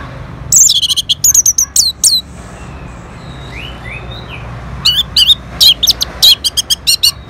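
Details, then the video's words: Orange-headed thrush answering a lure sound, with a fast string of high, slurred whistles and chips, a quieter stretch of softer notes, then another rapid loud burst. "Sangarnya Respon ANIS MERAH Langsung Nyaut Dengar Pancingan Suara Burung Ini"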